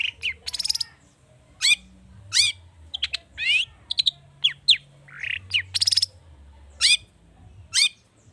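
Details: Agitated long-tailed shrike lure song with rich fill-in phrases: sharp upswept whistles, quick chips and two dense harsh rattles, spaced irregularly with short silences.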